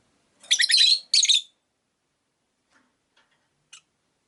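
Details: Rosy-faced lovebirds, five kept caged at a window, let out two quick rasping high chirp bursts, followed by a few soft faint ticks.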